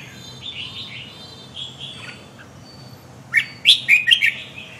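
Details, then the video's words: Red-whiskered bulbul song with quiet wavering whistles first, then a sudden run of five loud, clipped, chirping notes in quick succession before fading. "chào mào khủng long điên 2"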